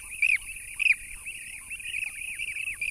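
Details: A flock of demoiselle cranes in Kürchay reserve, Goranboy district, western Azerbaijan, in April 2015, gives overlapping rolling, rasping calls, two louder near the start, over a steady high whine; blue-cheeked bee-eaters call in the background.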